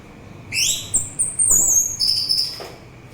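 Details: Orange-headed thrush song for relaxation and luring: a rising whistle, then a long, very high wavering whistle, then a second lower sustained whistle, clear and pure over a steady low hum.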